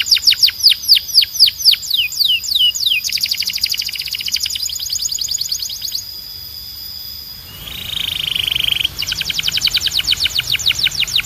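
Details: Canary singing loud descending whistled sweeps, then a fast rattling trill and long steady tones, a brief softer rolled passage, and a final run of quick repeated notes.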